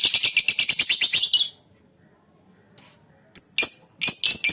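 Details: Lovebird colony giving shrill, high-pitched chattering calls in a dense, rapid burst for about a second and a half. A brief silence follows, then further sharp chirps in short clusters.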